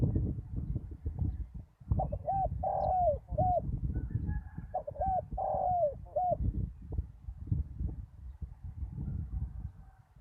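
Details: Decoy spotted dove calling on bare ground after a storm: two repeated coo phrases, each of a short note, a long falling hoarse note and a short final note, roughly three seconds apart, with low steady background noise.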